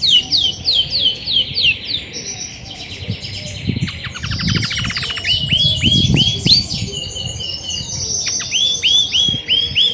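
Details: Grey and white female Belgian canary singing, as she does a lot when ready to brood: fast varied phrases of high chirps, rapid buzzy trills and repeated upslurred whistled notes, with soft low rumbling noise and thumps beneath.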